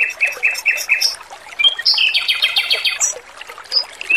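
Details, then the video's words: Male Pekin robin against trickling water, giving five quick chirps, then a slurred whistle and a fast buzzy trill, with scattered high single notes after. "MASTERAN BURUNG ROBIN JANTAN GACOR, SUARA MERDU DAN JERNIH"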